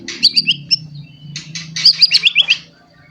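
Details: Young white-rumped shama that has just moulted its spotted juvenile plumage, singing to provoke other shamas: high, sharp chirps and twitters in two quick bursts over a low steady hum.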